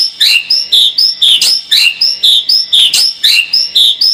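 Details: White-rumped shama lure sound for a more combative bird: short, sharp, high chirping notes repeated at a steady, even pace, about two per second.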